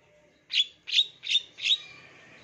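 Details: Lure recording of a long-tailed shrike singing a mimicry-filled song for young wild-caught birds; four loud, rasping high chirps spaced about a third of a second apart over faint low hum.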